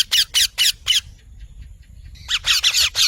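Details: Parrot squawking: four loud, rasping notes in quick succession, a brief quiet gap, then another burst of five harsh calls over low background hum.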